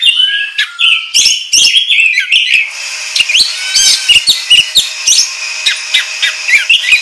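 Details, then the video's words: Kacer, the oriental magpie-robin, in a ngobra lure song: a whistled opening with rising slurs, then a steady series of short chirps and high squeaky notes, and a faint steady hum behind them. "Pancingan Kacer Gacor Ngobra Menggila"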